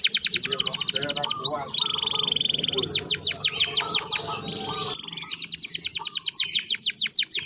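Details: Canary song in a series of tours: a fast, even trill of high repeated notes, a brief rising sweep, a steady buzzy roll, then more rapid descending notes and another high trill, with faint low background noise.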